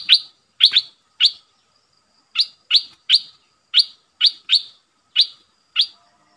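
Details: Red-eyed bulbul used as a decoy against wild birds, giving a series of short sharp rising chirps, singly or in pairs, spaced irregularly over several seconds.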